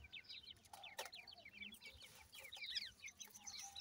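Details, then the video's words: Many young grey francolins kept at home give very high, short, rapidly repeated cheeps, overlapping thickly, with a couple of sharp knocks. "dakhni teetar chicks ki video,cute tetar babies"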